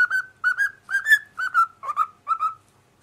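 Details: Pet cockatiel singing along with its owners, giving a run of about eight clear, bright whistled notes at a fairly steady pitch, short phrases linked by slight upward slides, over three seconds, with a quiet background.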